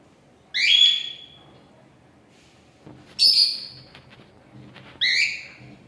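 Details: Gray and lutino cockatiels give three loud, raspy, harmonic-rich calls spaced roughly two seconds apart, each starting sharply and fading, with faint low rustling between them.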